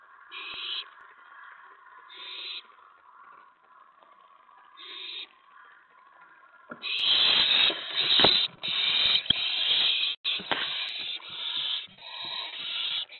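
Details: Owl at a nest as a mouse is delivered, 4:46 AM, May 15, 2017: three short, breathy hissing bursts spaced about two seconds apart, then a loud, rough stretch of overlapping hisses, scuffling and thumps from the nest.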